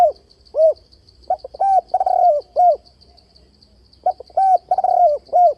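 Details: Spotted dove calls meant to provoke doves toward a trap, with changing tone and continuous bowing coos: repeated phrases of rounded, husky coos, one note stretched longer, accompanied by a steady high electronic-like whine.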